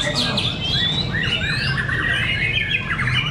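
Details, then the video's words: Competing white-rumped shamas (murai batu fighter) during a heated fight contest in Cibinong, pouring out rich varied whistles, upslurs and quick trills layered over one another, with a continuous low background drone. "Pertarungan sengit murai batu fighter"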